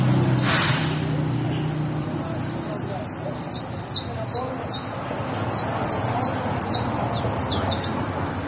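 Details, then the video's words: Canario criollo, a saffron finch, singing a run of sharp, high, down-slurred chirps repeated about two or three times a second in broken phrases, over a steady low background rumble. "Canario criollo bastó"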